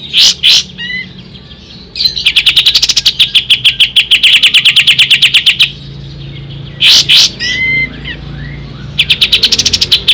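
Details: Song of an ashy tailorbird, used as tutor audio for songbirds: harsh doubled notes, then a long fast run of sharp repeated high chips lasting nearly four seconds, more rasping notes, and another rapid trill at the end.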